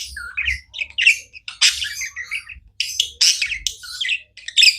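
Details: Pet budgies give scratchy chirps and squeaky whistled notes in short clustered bursts, some harsh squawky elements, separated by brief silences.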